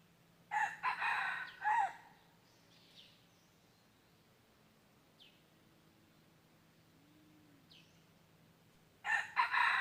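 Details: Wild red junglefowl at a decoy trapping site, 23 January 2022: a rough, choppy crow, then about seven seconds of quiet broken by thin small-bird chirps, and a second crow cut off at the end.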